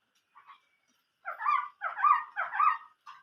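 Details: Chinese hwamei in old-forest voice style: two faint short notes, then three loud rich warbled phrases in quick succession, slightly harsh and fluty, ending with a brief final note.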